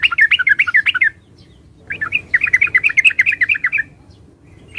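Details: Yellow-vented bulbul (Pycnonotus goiavier) singing two quick, bubbly warbling phrases of rolling notes separated by a short gap, over a steady low background hum.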